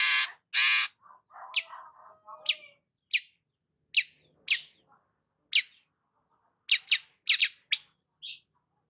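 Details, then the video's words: Long-tailed shrike singing 'gacor' as stimulation for a stressed shrike: two loud harsh rasping notes, soft low twittering, then a series of short sharp high chips spaced about a second apart. "BURUNG CENDET GACOR PALING AMPUH UNTUK PANCINGAN CENDET STRES"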